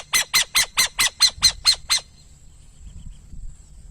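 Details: Nine quick, scratchy notes from a burrowing owl, evenly spaced about four or five per second, then stopping, leaving near silence with a faint low rumble.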